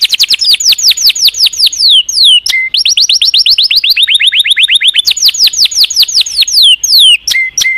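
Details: Loud canary song made of long runs of rapid arching notes, each run sliding gradually lower in pitch, separated by brief sharp chips and a short lower note.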